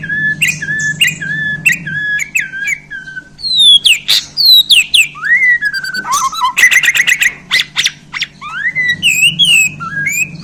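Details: Newly handled Borneo white-rumped shama in full varied song: paired whistled notes, sweeping up-and-down slurs, a burst of rapid clicking notes and further bright whistles, over a constant low hum.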